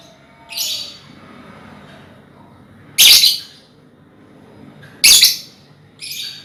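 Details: Loud, rasping shrieks roughly every two seconds from a colony of hand-reared lovebirds, a recording meant as a lure to trigger ngekek trilling, with a soft background hum.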